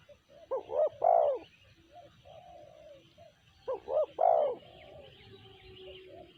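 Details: Two cooing phrases from a spotted dove, each two clipped notes and then a loud, mellow coo, with soft lower coos and faint bird chatter in the gaps.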